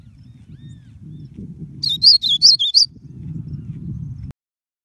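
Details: A blue-black grosbeak gives a single quick run of five sharp, high slurred notes lasting about a second, set against a steady low rumble that cuts out near the end.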